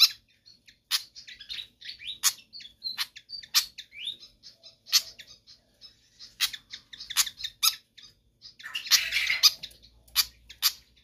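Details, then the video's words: Lively Pied fantail song, a track for training or attracting other birds: a long run of crisp chirps and thin whistled notes, with a denser rasping burst near the end. "Sikatan Kipas GACOR Ngotot"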